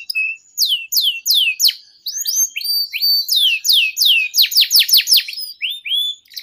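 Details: Long 'gacor' song of a canary, played as a trigger and tutor for young canaries: loud, fast series of high whistled notes sliding downward, about three a second, mixed with short upslurs and chirps.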